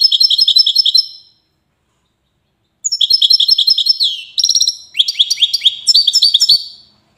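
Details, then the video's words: Widani-type European goldfinch from Safi, Morocco, giving rapid liquid twittering song in high bell-like notes, a fast trill, then a pause before longer phrases with sliding, buzzy-edged notes and tinkling repeats. "حسون ويداني"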